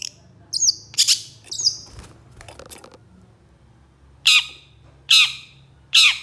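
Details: Long-tailed shrike with harsh bursts: three squeaky notes close together, some scattered clicks, a pause, then three loud harsh squawks spaced about a second apart.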